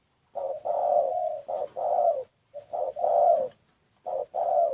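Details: Spotted dove giving its cooing call: low, mellow hooted phrases in short bursts of two or three notes, broken by brief pauses, repeated steadily through the recording with no other clear sounds.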